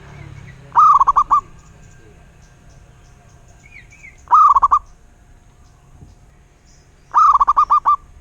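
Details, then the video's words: Local wild zebra dove singing three rolling phrases roughly three seconds apart. Each is a rising first note followed by a rapid, stuttering series of short coos. A faint higher whistle from another bird is between phrases. "Suara Burung Perkutut LOKAL alam"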